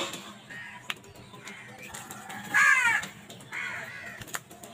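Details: Crows contesting food, with one loud rasping caw midway, preceded and followed by quieter distant caws over constant background noise.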